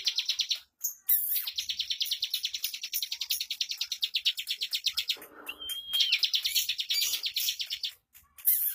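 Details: Sustained 'bocor' song of a bar-winged prinia: a steady rapid stream of high, sharp notes, a short gap, one level whistle, then another fast burst of tightly packed chips.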